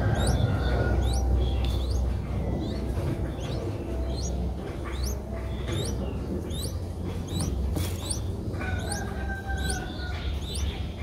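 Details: A five-day-old Streak-eared Bulbul chick begging, recorded 7 April 2023 in Ubon Ratchathani, Thailand. Quick upslurred high peeps come several per second, some paired, with a constant low hum behind them.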